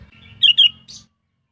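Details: Trained decoy sooty-headed bulbul, kept to lure wild birds and to tutor bulbuls that are reluctant to sing, gives two loud bubbly chirps in quick succession, then a fainter higher note, over low handling rumble.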